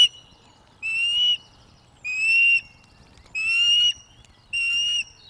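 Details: Osprey female begging for fish from a young male during courtship at Loch of the Lowes, spring 2024, webcam recording; four strong piercing whistled calls spaced roughly a second apart, joined by a thin continuous tone.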